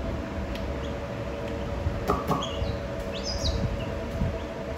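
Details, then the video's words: Baby chicks peeping: a handful of short, high, downward-slurred peeps spaced irregularly through the clip, heard over a steady low rumbling hum like traffic or machinery. "Baby Chicks"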